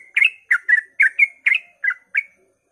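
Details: Brief burst of sooty-headed bulbul ropel song at daybreak, used to encourage other bulbuls to sing: eight crisp, bubbly notes in quick succession, spacing widening toward the end before falling silent.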